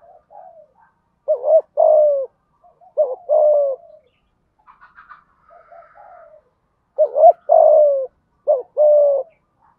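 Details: Deep-voiced (thổ) spotted dove giving thúc gù coos to stir decoy birds. Paired two-part coos, warbling then falling, with a quiet stretch of soft higher chirps in the middle.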